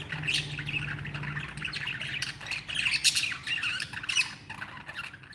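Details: Happy pet budgies chattering continuously in overlapping squawks and bright chirps, with a low steady hum present at the start.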